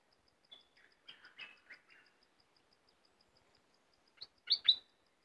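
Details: Cream-vented bulbul giving a few quick descending chirps, a pause, then a louder burst of sharp bright notes at the end, with a soft regular ticking pulse running throughout.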